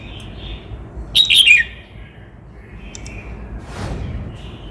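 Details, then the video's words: Red-whiskered bulbul from Cao Bang singing a single short, bright warbled phrase that slides downward, with faint thin whistles from other birds before and after and a soft rustle near the end. "Tiếng chim Chào mào hót - Chim chào mào Cao Bằng hót cực hay"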